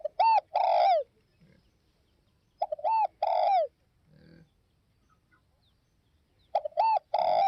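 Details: Three clear spotted dove phrases about three seconds apart, each a short double note and then a loud, drawn-out coo sliding downward, over quiet surroundings.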